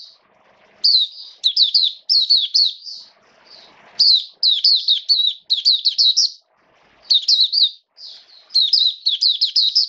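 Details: Mata Puteh, or Oriental white-eye, singing in captivity in wet weather: long run of rapid high warbling phrases, nearly continuous bright chirps with a few brief pauses and light rustling.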